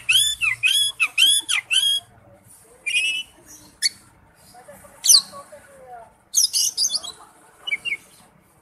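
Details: Oriental magpie-robin giving wild-type song: a rapid run of repeated arched whistled notes, then scattered sharp chirps and high buzzy phrases with gaps of quiet between them.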